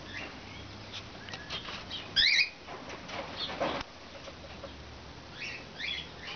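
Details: Cockatiels, including a half-sider, recorded on 6 March 2012; one loud, harsh, wavering call with a zigzag pitch near the two-second mark, then softer scattered chirps over a steady low hum.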